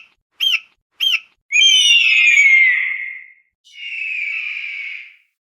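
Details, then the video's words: An eagle screeching: two short, sharp high notes, then two long, harsh screams that slur downward and fade, with no other sounds. "Real eagle screeching sound"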